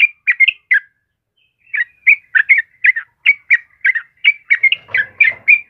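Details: Yellow-vented bulbul in full song, of the kind used for training caged birds: a few chattering whistled notes, a pause of about a second, then a steady run of bubbly warbled phrases, with a faint low rustle near the end.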